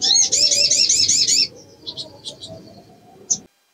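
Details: Female little spiderhunter in breeding condition calling to lure males: a rapid run of about eight high, wavering chirps lasting 1.5 seconds, then scattered thin, softer notes and one sharp final chirp.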